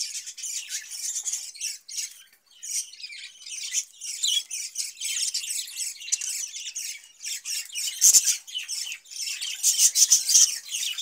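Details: Several caged budgerigars, fed cucumber in hot weather, keep up a busy warbling chatter of rapid high chirps, squeaks and grating notes, briefly quieter near the start, then louder bursts toward the end.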